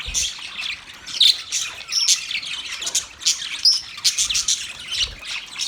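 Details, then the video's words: Budgies chirp in lively bursts of high, sharp, scratchy notes, with occasional thin whistles, pulsing louder and softer roughly every second. "Birds Chirping sound Beautiful Budgies sound"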